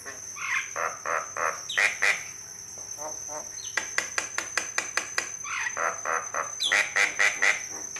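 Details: Male white-eyed Javan myna singing song variations meant to make other mynas respond: bursts of harsh, rasping broadband notes in rhythmic series, some with short buzzy strokes, a steady high electronic tone running underneath.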